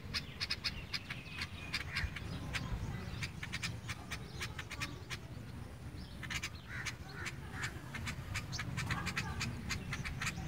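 Sparrows chirp in quick, overlapping bursts of short, bright notes, several per second, over a steady low rumble of background noise.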